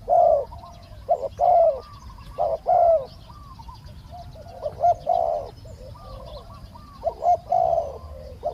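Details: Low repeated cooing of a spotted dove in live decoy calling to catch a wild dove; phrases of clipped notes and a longer rolling coo, spaced unevenly, with faint higher bird calls in the distance.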